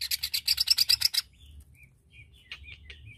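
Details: Greater green leafbird, singing to provoke aggression in other leafbirds: a quick harsh rasping series of roughly twelve pulses in just over a second, then faint short chirps over a low hum.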